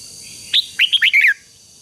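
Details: Red-whiskered bulbul phrase for training a wild-caught bird to sing: one short burst of five loud, sweet whistled notes, rising then sliding down, lasting under a second.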